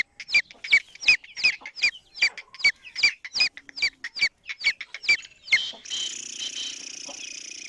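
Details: Black francolin female giving its call that draws in males: about fifteen crisp, chirping notes in quick succession, each sharp and high, then the calling stops and a steady hiss takes over.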